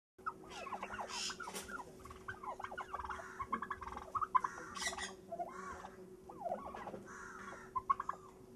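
Several turkeys call over one another in bursts of rapid, wavering, downward-sliding yelps and rattling gobble-like trills, over a steady low mechanical hum.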